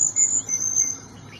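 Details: Small niltava uttering piercing high whistles: a short note, then a longer steady one, then a slightly lower sustained whistle that fades, over quiet natural background.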